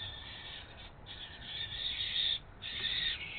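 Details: Barn owls, probably two males chasing each other over a nest box before the 2019 breeding season, give harsh, drawn-out hissing screeches, several in a row, each about a second long, with short breaks between them.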